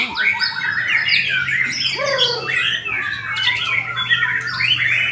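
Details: At a murai batu singing competition, a podium-winning white-rumped shama gives dense, harsh squawking and whistled phrases almost nonstop, over a low steady hum and other birds.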